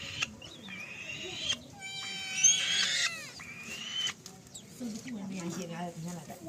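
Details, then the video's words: Young black-shouldered kite producing a strained, layered screech that slides downward at its end, followed by softer high notes while people talk quietly in the background. "black shouldered kite baby"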